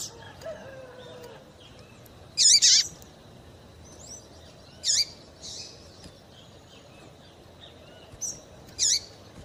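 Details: Female double-collared seedeater calling to excite males for singing contests: loud, sharp, high chirps that sweep steeply downward, given singly or in quick pairs every two to three seconds, with softer faint notes between.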